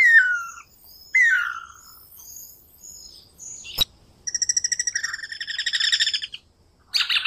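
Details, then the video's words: Singing Guira cuckoo (anu branco): two slurred whistles falling in pitch, a sharp click, then a long buzzy pulsed rattle lasting about two seconds, followed by a short harsh burst. "Anu branco,Guira guira, cantando -canto do anu branco"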